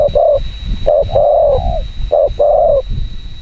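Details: Spotted dove, a prized decoy bird, cooing very fast to provoke wild doves: short coo then longer falling coo, paired, repeated about every two seconds, with a steady high electronic whine throughout.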